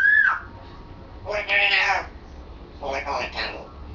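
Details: Pet African grey parrot indoors practising words, a male that has just begun forming sentences; a sharp whistled note, then two short harsh speech-like bursts with a low hum behind.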